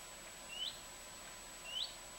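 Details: A common redstart sitting in a garden bush in southern Sweden on 23 August 2014 gives two thin, rising whistled notes about a second apart, clear over faint background hiss.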